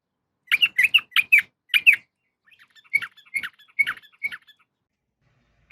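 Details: {'caption': 'Yellow-vented bulbul female calling to a male, giving four loud, sharp chirps in quick succession, then a softer run of scratchy notes that fades out.'}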